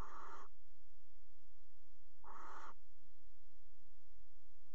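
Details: Barn owls at a nest box in a water tower in the Netherlands, mating on the box's edge in February: two harsh, hissing screeches about half a second each, spaced roughly two seconds apart, over a low steady hum.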